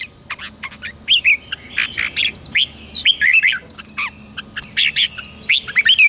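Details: Red-whiskered bulbul song played to train young wild-caught birds to sing and to spur fighting song: quick bright chirps and short rising-falling whistled phrases in rapid bursts, with a steady high electronic-like tone running throughout.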